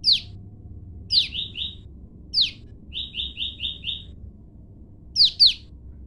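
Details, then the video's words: Caged olive-backed tailorbirds, a female separated from her male, calling back and forth to each other: sharp descending high chips alternate with quick runs of buzzy, even notes, over a low background hum. "prenjak lumut betina saling sahut dengan jantan"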